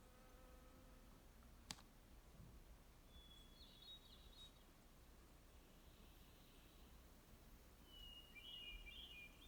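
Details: Hermit thrush singing in a backcountry grove of giant sequoias, Sequoia National Park: two distant flutelike phrases, each a clear held note breaking into a fluttering flourish, with a low hum early on and a single sharp click.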